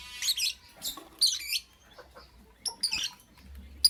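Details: Lovebird chirping in the morning, a quick run of shrill, rasping high notes in several bursts, then a pause before more squeaky calls.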